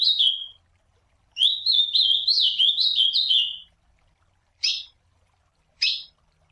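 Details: Classic song of an ultramarine grosbeak calling and singing in the wild: the tail of one phrase, then a full two-second sweet, warbling run of slurred whistles, followed by two short, sharp single call notes about a second apart.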